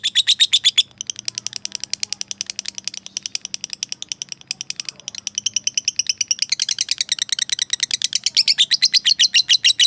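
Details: Lovebird calling out to a rival in a long ngekek chatter, a dense rapid stream of harsh buzzy notes, briefly thinning midway and then growing louder and faster toward the end.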